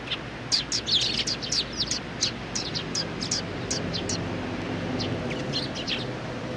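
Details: Group of sparrows, young ones among them, on 27 June 2019: a lively cluster of high chirps in the first seconds, then scattered single tweets, all over a fairly loud broadband background noise.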